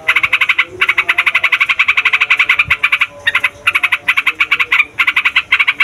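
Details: Yellow-vented bulbul in lively, noisy 'ngeroll' rolling song, the kind used to lure wild birds. Rapid chattering notes repeat about eight times a second in long runs, with brief pauses and faint lower tones underneath.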